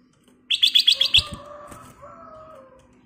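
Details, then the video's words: Lively black-crested bulbul (kutilang emas) with a clear voice, in a recording meant to prompt other birds to sing. A fast run of six sharp, evenly spaced chips is followed by a soft knock and faint lower drawn-out tones. "KICAU BURUNG KUTILANG EMAS GACOR suara Kristal / Pancingan Kutilang Emas Gacor full isian"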